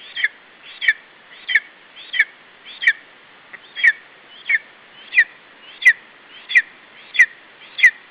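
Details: Lesser spotted eagle chick at a nest in Estonia, July 2012, calling while protecting its food against a parent: a steady series of short, high, sharp squealing notes, about one every 0.6 seconds, over a low background hiss.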